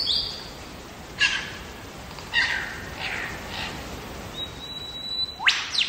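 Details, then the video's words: Wild lyrebird song from Megalong Valley, Blue Mountains, Australia: a brief high whistle, then varied scratchy notes, a long thin steady whistle, and a loud sharp upward-sweeping crack at the end. "Lyrebird song"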